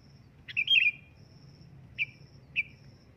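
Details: Sooty-headed bulbul calling loudly: a short burst of bright chirped notes, followed by two brief, separate high chirps about half a second apart, over a low steady hum.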